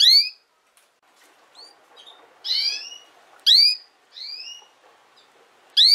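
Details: Female canary repeating bright rising notes about every second, some loud and steeply upswept, others softer and shorter, in a quiet indoor setting.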